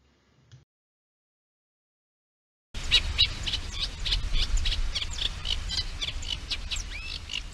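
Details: A Eurasian reed warbler in Central Europe sings from the reeds, its love song a monotonous, scratchy run of fast, repeated chattering notes, about four a second, over a low, steady rumble.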